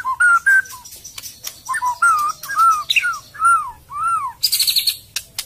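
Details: White-rumped shama (kacer) song: a series of clear, arched whistled notes, rising then falling, given one after another at steady intervals, ending in a brief high buzzy trill, with sharp clicks between phrases.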